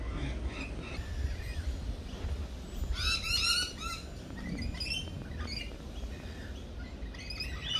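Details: Lorikeets calling at a cafe, a sudden burst of harsh rapid screeches in the middle, with fainter scattered squeaks before and after over a constant low hum.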